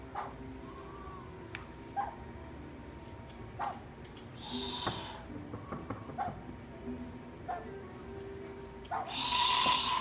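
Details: A captive southern white-faced owl at an owl cafe in Japan gives rough, hissing, monster-like growling bursts, one near the middle and a louder one at the end, over a steady indoor hum and faint clicks.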